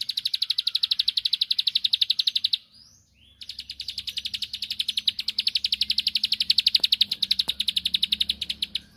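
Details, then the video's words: A bar-winged prinia sings to draw a rival into answering. Long strings of quick, evenly spaced high ticks, roughly four per second, break off for under a second, then resume and carry on steadily. "Tembakanny Ampuh Pancing Emosi Lawan //Pasti Langsung Nyaut Gacor"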